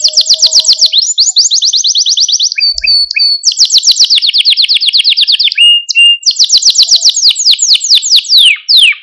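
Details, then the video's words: Male Maltese canary, sung to stimulate and train other canaries, delivers loud, continuous high rolling trills that shift speed and pitch between tours, broken by a few quick chips. "Etkileyici Malta Kanarya Ötüşü Ve Erkek Kanarya Sesi"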